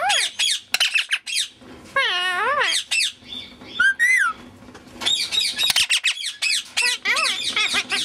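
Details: Grey Indian ringneck parakeet talking: a jumble of clicks, harsh squawks and wavering, warbled tonal phrases resembling speech, with sliding whistled notes near the middle and rapid chattering toward the end.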